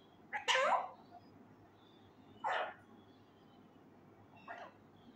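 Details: Raw male Indian ringneck parakeet learning to talk, saying Urdu phrases loudly: three clipped, throaty word-like utterances, the first loudest, separated by two-second pauses, the final one faint.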